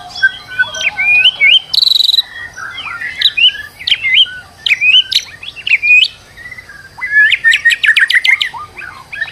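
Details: White-rumped shama under stress, played as a lure for another bird to sing; rich varied song of whistles, slurs and sharp chips, ending in a fast rattling series of upward-sweeping notes.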